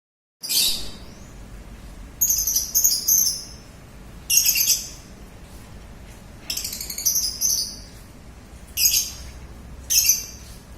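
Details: Lovebird giving shrill, high chattering bursts, about six short bursts of rapid squeaky chirps over ten seconds with brief pauses between them, over a quiet background.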